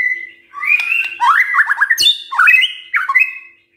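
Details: Morning song of a white-rumped shama intended to make other birds sing in response: a level whistle, then choppy warbled phrases, one abrupt click, and a quick rising twitter, with a faint steady hum.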